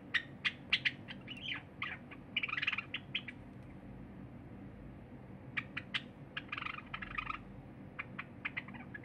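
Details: A cinnamon Java sparrow sings a run of dry clicks and bright, bell-like chirps, rising into brief twittering bursts, while a silver Java sparrow eats quietly nearby, over a low room hum; recorded 23 January 2021.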